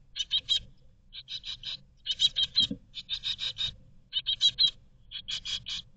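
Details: Great tit chicks begging inside a Berlin nest box in 2022, hoping to be fed: clustered bursts of shrill, pulsed chirps separated by short silences, several birds overlapping, plus a soft low knock near the middle.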